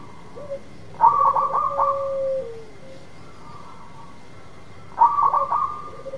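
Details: Local zebra dove song used to coax a reluctant dove into singing: two stuttered, bright cooing bursts about four seconds apart, each trailing into a lower drawn-out trill, over a thin constant hum.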